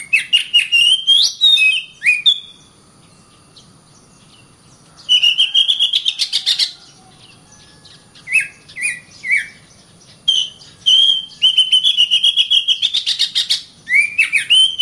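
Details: Oriental magpie-robin, called kacer, singing in several phrases separated by short pauses: fast chattering bursts, sweet whistled slurs and repeated rising notes, with dense rapid trills in the later phrases.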